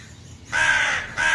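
A crow gives harsh, raspy caws, a long one followed by the start of another.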